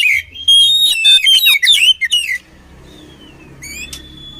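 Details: Oriental magpie-robin song used for training birds: loud burst of varied whistled and buzzy notes with rapid slurred phrases, then a quiet pause and a thin high whistle with a brief rising note.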